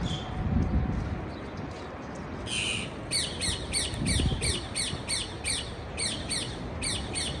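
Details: After a quiet start and one harsh buzzy note, a parakeet gives a steady train of crisp, falling chirps, about three per second, over low background rumble.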